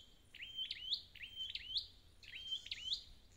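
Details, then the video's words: Short burst of high, thin notes from a red-headed flowerpecker, a wild-caught bird: quick dropping flicks that sweep back up, three or four in quick succession, then a buzzier phrase. "File TiếngTiệt Chiêu Phục Hồi Chim Sâu Đầu Đỏ Bể Rừng"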